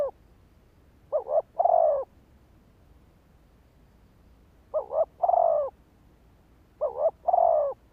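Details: Spotted dove giving a lure call used to trigger and draw in males: three cooing phrases, each a quick doubled note followed by a longer, slightly falling coo, spaced about three seconds apart over quiet background.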